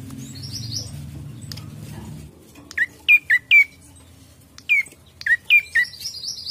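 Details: Ashy prinia song used to lure birds: hiss at first, then two loose clusters of sharp, slurred chirps with irregular gaps, plus a faint higher chatter.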